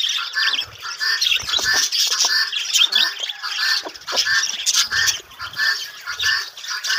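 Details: In a budgerigar breeding colony, many birds squawk and chirp over one another, short harsh notes and warbles rising and falling in loudness, with scattered thuds beneath.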